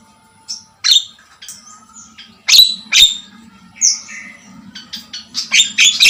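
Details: Lively Javan myna, locally jalak kebo, delivering loud rasping squawks and grating notes interspersed with short whistled slurs, the phrases growing denser and faster toward the end, with a faint low hum behind.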